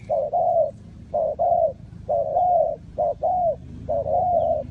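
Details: Spotted dove calling to lure wild doves into a bird trap. Loud, rounded coos are grouped as a brief note followed by a drawn-out slightly arching one, repeated several times with short pauses.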